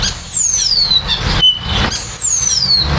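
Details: Common starling during nesting and nest building: two long, clear whistles sliding smoothly downward from very high to high pitch, the second starting after a brief pause, over a steady low rumble of background noise.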